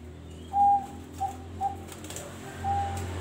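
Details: Zebra dove contest bird of proven quality, nominated at regional and national contests: clear pure coos near one pitch, a long note then short ones, with a low steady hum beneath.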